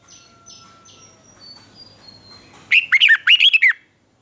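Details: Caged Red-whiskered bulbul from Thailand in southern master-pattern style, used to stimulate and teach birds: faint high thin whistles of other birds, then two loud back-to-back phrases of rapid, rolling whistled notes.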